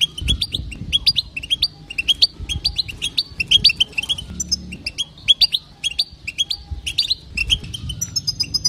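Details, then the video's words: Female European goldfinch calling to stir males into singing: rapid bright twittering chirps repeated in quick bursts throughout, with faint low background hum. "بتبته تهيج المقنين مجربه وناجحه للمقنين الضعيف ستجعل مقنينك يغرد بلا توقف"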